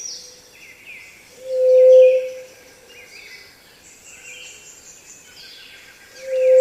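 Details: Pallid dove, a ground-dwelling dove of Peru, giving its low-pitched single whoo: a steady, pure hoot about a second long, repeated after roughly four seconds, with faint higher twittering birds in the background.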